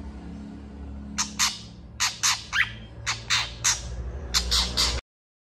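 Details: {'caption': 'Long-tailed shrike in full, agitated song, answering another shrike: harsh, scratchy bursts in small clusters of two or three, about one a second, over low steady background hum.'}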